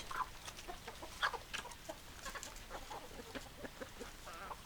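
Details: Flock of hens and roosters produces a mix of short clucks and a few sharper squawks, roughly one per second, irregular and overlapping, ending with a brief drawn-out cackle.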